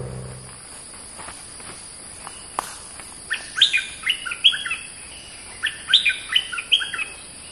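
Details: Oriental magpie-robin singing. After about three seconds of quiet it gives two bursts of bright, varied whistled notes that rise and fall in short chattering runs, over a steady high insect-like hum.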